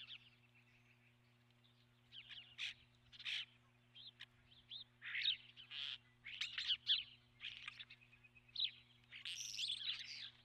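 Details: Nest-camera recording of an osprey at its nest, March 12, 2016: dense, excited run of harsh high chirps growing busier toward the end, with a steady electrical hum beneath.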